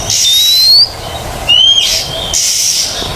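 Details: Oriental magpie-robin in a training recording for birds that have stopped singing: two long, clear rising whistles about a second apart, followed by steady hissing noise.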